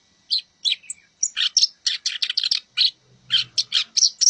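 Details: Black-browed reed warbler song used to train cage birds: scratchy, clipped chirps strung into a fast, irregular chatter, with notes varying in pitch, and a faint low hum in the background.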